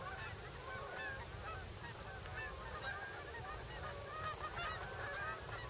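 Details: Migrating geese at a Delaware wildlife refuge, USA, separate short honks from numerous birds overlapping irregularly, fainter overall, with low rumbling background.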